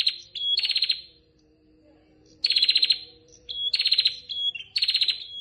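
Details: A female prinia calls to the male with rattling, buzzy pulsed bursts. Brief thin whistles sit between them, and a short silent gap splits the series.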